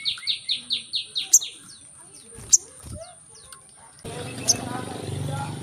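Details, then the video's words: Brown-throated sunbird song played to get reluctant birds singing: a quick run of about seven bright, high, evenly spaced chirps, followed by scattered single notes and then a stretch of broad background noise. "Kolibri kelapa | manggar | suara untuk burung malas bunyi"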